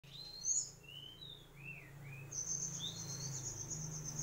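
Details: Mangrove whistler song: smooth whistled slurred notes, some rising and some falling, mixed with thin, very high sharp notes and a high trill near the end over a low steady hum.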